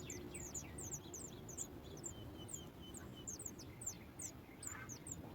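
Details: Nestling Sooty chat begging on hearing its mother arrive with food, giving a steady stream of very high, thin chirps repeated several times a second throughout, over a low background rumble.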